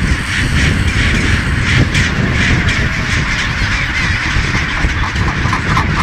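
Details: Massed calling from a huge chinstrap penguin colony, Baily Head, Deception Island, South Shetland Islands, Antarctica: rough honking brays blend into an unbroken chorus, a few louder calls standing out, with strong low rumbling wind throughout.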